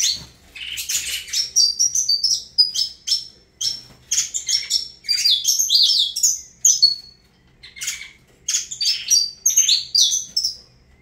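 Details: Saffron finch singing the Avalanche song style: rapid bursts of bright, high twittering and trilled notes with short whistled slurs, in phrases broken by brief pauses and with no other sounds.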